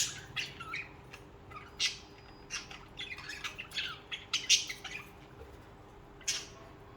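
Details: Budgerigars, social birds kept in pairs, giving sharp clicking chirps and brief warbled notes, spaced irregularly, with a faint steady hum behind.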